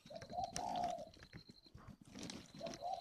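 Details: Soft, hollow repeated cooing from a spotted dove reared semi-wild in a garden in Ba Vì, Hanoi, Vietnam: one longer phrase, a pause, then a shorter one, over faint background hiss and a thin high tone.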